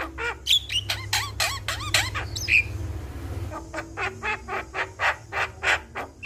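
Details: Javan myna song played as a lure to stir a quiet, lazy myna into singing: a fast series of harsh, buzzy squawks with curling whistled notes, then evenly spaced raspy chatter notes about five per second over a low hum.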